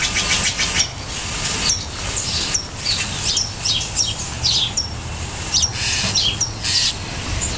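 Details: Steller's jay sounds dubbed over a video compilation, not necessarily from the filmed birds: harsh, raspy, scratchy calls in irregular bursts, with a few short high notes mixed in, over a low background rumble.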